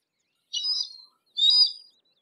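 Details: Harris's hawk calling twice, each a harsh, buzzy, high note of about half a second, with a grating tone and a short gap between them.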